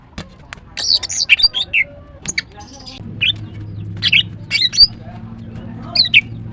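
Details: Female greater green leafbird, known locally as green cucak, singing in short bursts of sharp, squeaky chirps and slurred whistles with pauses between phrases, over a low steady hum.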